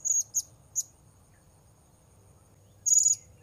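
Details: Three sharp, very high squeaks in quick succession, then a longer buzzy high note after a pause, from a blue-crowned hanging parrot heard while wild birds are being lured.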